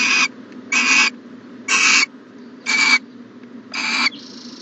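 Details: Owl at a nest box on a January 14, 2020 morning, giving five loud, harsh hissing bursts about one second apart, each roughly a third of a second long, over a steady low indoor hum.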